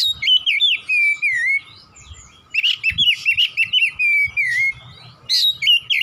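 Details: Oriental magpie-robin singing in the 'nembak' style: loud sliding whistles in rapid sequence, a short break, then another fast run of looping, warbled notes and drawn-out slurs, with a faint hum underneath.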